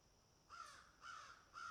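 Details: Picking and eating crows give three hoarse, grating caws in under two seconds, evenly spaced, against a low hiss.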